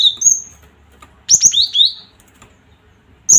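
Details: Cinereous tit (gelatik batu) used to provoke other birds: long high whistles, then a lively phrase of alternating upper and lower whistled notes, ending with one more sharp whistle.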